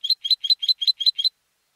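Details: Captive-bred European goldfinch used in singing competitions delivers seven quick, identical high bright notes in a steady rhythm, each a short rising chirp, then stops; no other sounds.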